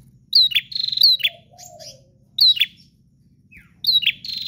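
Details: Bar-winged prinia singing forcefully without pause: clipped, bright chirps in repeated doublets and triplets, a soft lower warble and low hum in the background.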